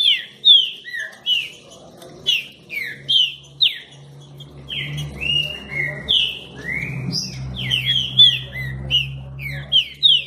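Green-winged Saltator singing a fast run of rich, slurred whistles, many sliding downward, one to three per second, over a low steady hum.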